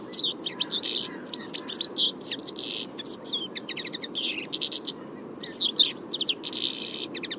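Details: Song of a European Goldfinch, filmed live: continuous lively twittering of sharp high chirps mixed with short buzzy rattles, delivered in rapid bursts with only brief pauses throughout.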